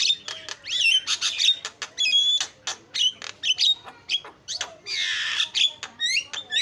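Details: Javan myna, chattering: scratchy bursts and clicks with clear whistled slides, a long hissing rasp midway, then rising whistled squeaks.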